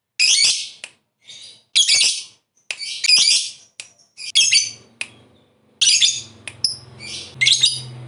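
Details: Lovebird, a fighter bird kept by hobbyists, used to stimulate other birds. Harsh, high squawky bursts and chirps come irregularly about once per second, with a faint low hum underneath in the second half.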